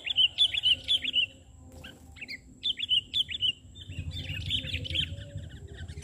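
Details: Sooty-headed bulbul singing during bird trapping, calling from the ground rather than a branch: bubbly, liquid whistled phrases of three to four quick notes, repeated in bursts with short pauses, over a low background rumble.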